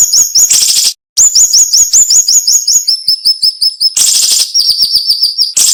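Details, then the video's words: Cinnamon-bellied flowerpecker delivering a piercing, tightly packed song with short pauses: quick repeated high chips in descending steps, framed by loud scratchy buzzes, with about two and a half notes per second. "MASTERAN SUARA BURUNG SIRI SIRI NEMBAK TAJAM"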